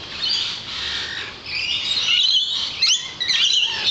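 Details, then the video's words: Many lorikeets outside a balcony keep up a shrill, screechy chatter of overlapping high squeals and rasping notes without pause, as if several birds are calling at once. "Singing Lorikeets"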